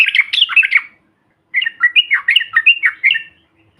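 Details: Yellow-vented bulbul, used as lure material to provoke other birds: two bursts of rapid, bubbly chattering notes, the second after a short pause, with warbled ups and downs and no other sounds.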